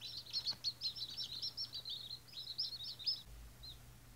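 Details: First-day White Australorp chicks call in rapid high peeps that run together, then fade to a single soft chirp near the end, while a low hum and brief rumble continue.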